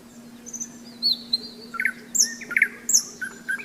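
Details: A nightingale singing on a May day along the Seversky Donets, recorded at a rest stop on a hike: varied high whistles, swooping slurs and doubled chipping notes in irregular phrases.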